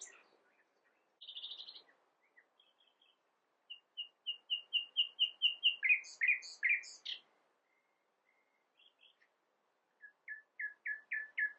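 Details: Song of a nightingale: a short buzzy note, a slow series of whistles swelling in volume and speed, sharp high notes, a pause, then another accelerating run of descending slurred notes.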